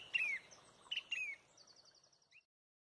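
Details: A loud Song thrush leads a sunrise dawn chorus at Pontrobert: a clear whistled note sliding downward, given twice, then a fast, high rattling trill of about a dozen notes.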